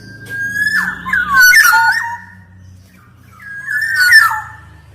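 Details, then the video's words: Black-naped oriole singing as a tutor and lure for quiet birds: two bursts of rich warbling whistles mixed with harsh rasping notes, split by a quiet gap, over a constant low hum. "Kicau Suara Kepodang Emas Gacor, Untuk Masteran, Pancingan Kepodang Malas Bunyi dan Macet Bunyi"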